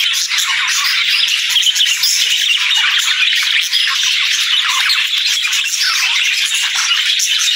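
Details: Budgerigars greeting the day with cheerful morning chirps: busy, overlapping squawky warbles and twitters from a group of birds, steady and loud throughout with no other sounds.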